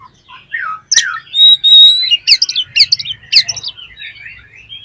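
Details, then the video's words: Oriental magpie-robin (kacer) song used as a lure to get other kacer birds singing: varied whistled phrases, a sustained high whistle, then loud sharp repeated chirps and rapid notes. "PANCINGAN KACER BOCOR ALUS ‼️ NGEPLONG BIKIN GAIRAH KACER LAIN CEPAT BONGKAR ISIAN"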